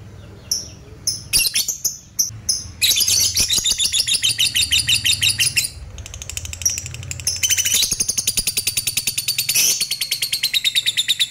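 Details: Long ngekek from a lovebird, used to prompt other lovebirds to join in and to raise their excitement: a few scattered high chirps, then long runs of rapid, harsh, high-pitched chattering pulses, briefly pausing midway.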